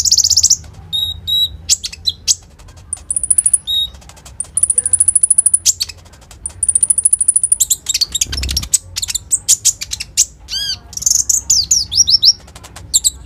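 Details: Phone recording of a common iora singing actively in the 'isian roll tembak' style, played as a lure for other birds: long thin high whistles, then dense rattling clicks and warbled high phrases.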